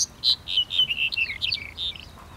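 Black-headed bunting singing a quick, bright phrase of a dozen or so chirped and slurred notes over two seconds, ending in a lower note.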